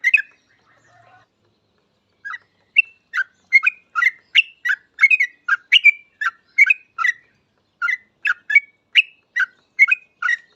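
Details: Yellow-vented bulbul's bubbly lure song, meant to prompt other bulbuls to sing fast: a brief chirp and a faint low note, then after a pause a long, busy stream of gurgling, whistled chirps about every third of a second.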